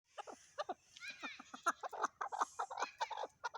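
Chukar partridge giving a fast run of harsh, clucking chuck notes, nearly three per second, uneven and overlapping, with some raspy higher notes mixed in.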